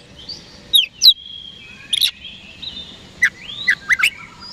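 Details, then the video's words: Oriental magpie-robin singing to goad rival birds into replying: long thin whistles and sliding notes, interspersed with a few sharp, downward-swept chirps and a curved rising whistle near the end. "PANCINGAN KACER HARIAN 🔥 Super GACOR Ampuh Bikin Lawan Cepat Respon"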